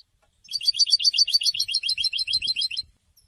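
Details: European goldfinch in song following its moult: a steady rapid trill of tinkling, twittering notes lasting over two seconds, evenly paced with a faint low rumble behind.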